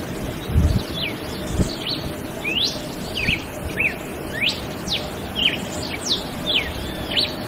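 A Red-cowled Cardinal sings a string of clear, sharply slurred whistles, falling and rising, about twice a second, over a low background rumble.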